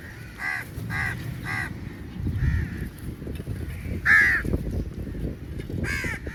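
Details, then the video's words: Crows fighting for meat at a feeding: three harsh caws in quick succession, then scattered single caws, one loud and close near the middle, over low rumbling background noise. "Crow Birds Fight For Meat | Large Number Of Crows Naturally Awaz"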